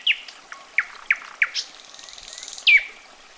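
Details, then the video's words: A common nightingale delivers a string of loud, abrupt chirps and knocks, then a soft, sustained high buzzing trill and a final strong, downslurred whistle. "SINGING NIGHTINGALE"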